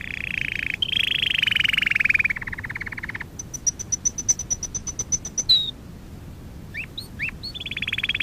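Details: Canary singing, recorded as canary training material: a long warbling trill, a buzzy rattle, then a steady series of sharp high clicks, a single whistle, and a few upslurred notes before a rolling trill, with a low background rumble.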